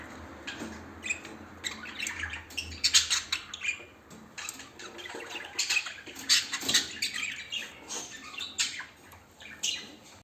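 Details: A busy stream of high, harsh lovebird squawks and chattering chirps, repeated in rapid clusters throughout, with some louder peaks near three and six seconds and faint fluttering noise.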